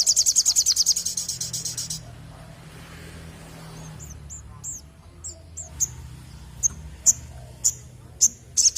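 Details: {'caption': 'Crimson sunbird (sogon) in full song: a two-second burst of rapid, high, rattling trill, then scattered thin chips and sharp ticks at irregular intervals over faint low background hum.'}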